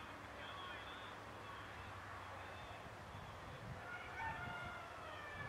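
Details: Greater flamingos in a flock at Hajiqabul Lake, Azerbaijan, on 1 February 2015, give nasal, goose-like honks and grunts that overlap at a quick, uneven pace over a low rumble of background noise.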